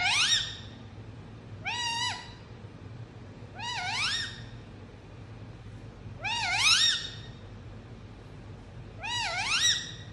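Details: Five wavering, meow-like calls from an Indian ringneck parrot, each bending up and down in pitch and spaced roughly two seconds apart, over a quiet low background hum.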